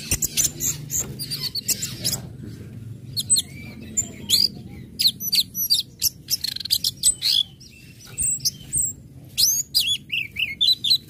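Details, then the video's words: Orange-headed thrush singing ngecip, ngecit and ngeplong phrases to spur other birds into song: long sequences of quick high chirps, whistles and downslurred notes in clustered bursts, with a faint low hum beneath. "SUARA ANIS MERAH NGECIP NGECIT NGEPLONG PEMANCING BIRAHI AGAR IKUT BUNYI"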